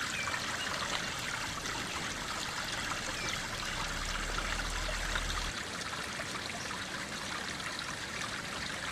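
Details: Steady rushing and trickling stream water fills the scene, with no animal voice standing out.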